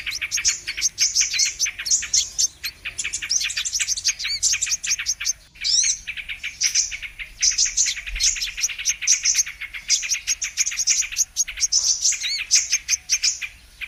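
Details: Brown-throated sunbird lure recording for trapping birds: a dense, continuous stream of high, thin, rapid chirps and sharp tweets, hardly pausing, with a low background rumble.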